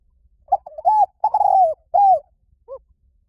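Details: Spotted dove, หลิ่วตัน song used to coax trained doves into singing back: soft coos building to a long rolling note, a falling coo, and a last faint short note.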